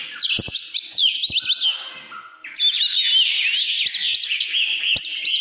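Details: Oriental magpie-robin in căn lửa song: looping, swooping whistles at first, then a brief lull with a low steady note, followed by a fresh outpouring of quick, rising and falling whistled phrases and a few sharp clicks.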